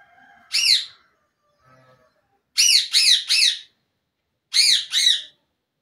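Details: Indian ringneck parakeet making short, harsh, harmonic squawks: one alone, then a quick run of three, then a pair, with pauses of about a second or more between groups in a quiet room.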